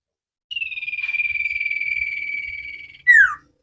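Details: Cage-bird training recording of an energetic common iora: one long, evenly pulsed trilled whistle easing gently lower over two and a half seconds, ending in a quick steeply descending whistle.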